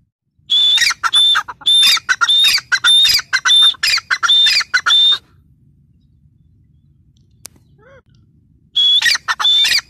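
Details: Grey francolin female, called teetar, delivering a run of squawking notes with a whistled thread, then a long quiet gap with a single faint click, then the calls resume.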